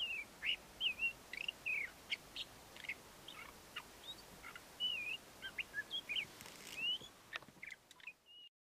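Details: Male Ant-eating Chat performing his courtship song, a steady series of short looping whistles and chirps with occasional clicks, ending in a single whistled note before silence.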